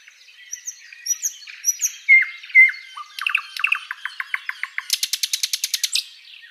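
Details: Flycatcher song used as a tutor recording for training birds: high thin whistled slurs and chirps, two bright downslurred whistles near two seconds, then a run of rapid clicking notes and a fast buzzy rattling trill to the end.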